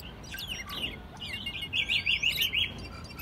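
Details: American robin held as a pet in Mexico City, singing loudly in March 2020. Several fast chirps are followed by a rolling, warbled phrase of about six linked notes.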